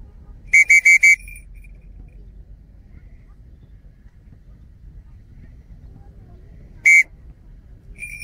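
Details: Dark-morph changeable hawk-eagle in falconry training: a quick run of four shrill, clipped whistled notes, then a single matching note about six seconds later, with low background rumble between.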